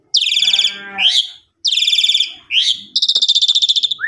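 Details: Asian pied starling kept in a cage, recorded as a lure to bring it back into full song after a Lebaran trip, mixes rough buzzy rasps with squeaky rising notes and a fast rattling burst ending in an upslurred whistle.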